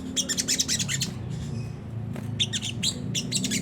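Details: Sunda whistling thrush with a rough ngriwik song, used as a lure to make caged birds sing. Fast high chirps run in two bursts over a steady low droning hum.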